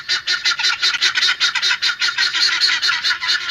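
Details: Domestic village helmeted guineafowl give harsh, grating, rattling calls in rapid bursts, more than two a second, shrill and scratchy, with no other sounds.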